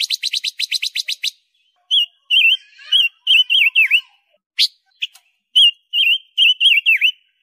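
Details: Pekin robin, small and loud, recorded as a training model for pet birds: it opens with a rapid trill of about ten notes, then sings bright rising-and-falling whistled phrases, some dipping sharply downward.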